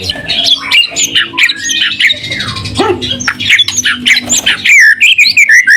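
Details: White-rumped shama singing to provoke other shamas into replying: harsh, scratchy and squawking notes mixed with quick whistles and a swooping slur, ending in looping clear whistles, with a low background hum.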